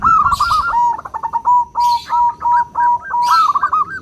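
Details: Small local zebra dove, loud and clear in the 'crystal' voice used as a lure: a continuous run of quick, hooked cooing notes that rise and fall, with soft rustling bursts at intervals.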